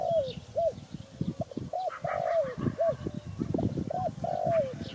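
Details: Spotted dove cooing in soft arched notes, each phrase ending in a longer downward-sliding coo, repeated about every two seconds over a steady low rumbling clatter in the background.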